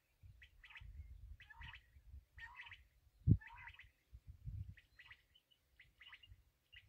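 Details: Black francolin, the kala teetar, calling in harsh, grating chirped phrases about once a second, over low rumbling handling noise and one sharp thump midway.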